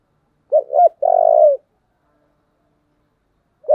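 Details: Strong 'thổ' style song of a spotted dove used as a decoy pattern for luring: two sharp opening notes and a long trembling coo, silence, then the next phrase just beginning.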